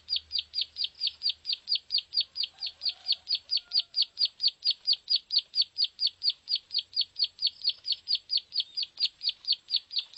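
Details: Lure sound for drawing in plain prinias: a long, unbroken run of bright, high chipping notes, roughly four per second, even and regular, with a faint low rumble at the start and a soft lower chirp midway.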